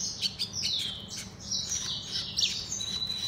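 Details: Hybrid of Mozambique serin and canary delivering rapid high-pitched warbles, chirps and sweeping slurred notes in a continuous run, with a soft low background hum.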